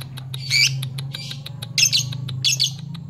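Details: Lovebird calling to challenge rival fighter birds: bursts of harsh, shrill chattering chirps among steady ticking clicks, with low hum underneath.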